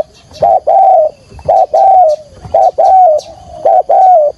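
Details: Decoy spotted dove calling to lure others for trapping, in full urgent cooing style; low mellow coos in a steady rhythm, a short note followed by a longer drawn-out one, repeated about once a second.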